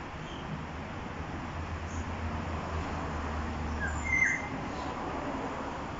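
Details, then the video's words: Varied musical call of a Black-naped oriole, Jurong East, Singapore, around midday on 13 October 2021. Late in the recording comes a short pair of fluty whistled notes over faint low rumble. "Calls of a Black-naped Oriole in Singapore"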